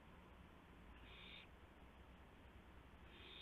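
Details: Owl heard around 2:51 AM, April 2, 2016, during a gopher delivery to its mate: one short, noisy hiss-screech, then a second beginning at the end, over low steady hum.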